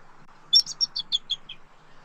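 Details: Bald eagle at a nest in Southwest Florida at night, 2 November 2024, a male arriving around 1:56 AM to rest in and guard the nest; a quick run of about seven thin, high chirping notes, slightly falling, over a low hum.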